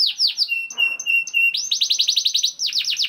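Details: Canary song from a young bird, intended to spur other canaries to sing: downward slurs and flat whistled tones, then a rapid run of about twelve repeated sweeping notes and a final quick trill.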